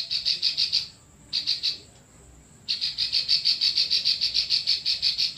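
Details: Klik-klik bird, full continuous song used as tutor material for other cage birds: bursts of rapid, even, high ticking clicks, a short break, then a longer unbroken clicking run, with a thin steady high whine behind.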